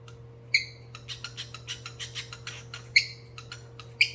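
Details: Pet cockatiel beatboxing: sharp harmonic chirps at irregular intervals, with a rapid series of dry clicks and ticks between them, over a steady low electrical hum.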